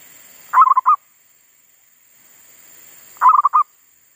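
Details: Zebra dove used as a decoy, singing in a garden after wild monkeys had disturbed it and silenced it for a while: two clipped, bubbling coo phrases, each a fast run of notes, spaced well apart.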